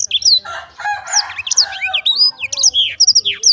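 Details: Black-throated canary song, high whistled slurs and quick chirps, mixed at the start with lower warbling notes before the high twittering takes over.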